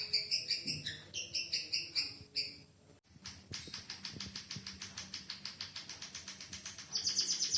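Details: Canary-tutored white-headed munia: paired high chirps in quick succession, a brief pause, then a long regular series of sharp ticking notes closing in a dense high trill.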